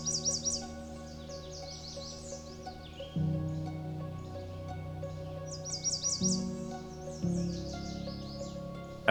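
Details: A male American Redstart in the boreal forest of Lesser Slave Lake Provincial Park, Alberta, singing loudly from an eye-level branch, gives two bursts of high, thin, rapidly repeated notes ending in a dropping slur, a few seconds apart, over soft background music.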